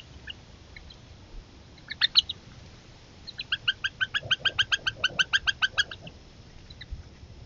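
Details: Young Northern Harriers at dinner time, competing aggressively for a meal delivered by the mother. A couple of loud notes, then a rapid run of about twenty evenly repeated harsh, harmonic squeals.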